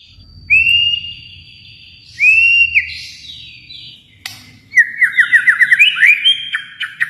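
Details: White-rumped shama from Kalimantan singing long, clear, slightly rising whistles, then a sudden break and a rapid bouncing run of short notes ending in upward sweeps.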